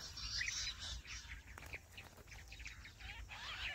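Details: Jungle bush quail calls broadcast to draw birds into a trap in small jungle areas: scattered high, thin chirps and squeaky notes, some sliding, with loud clicks and low background rumble.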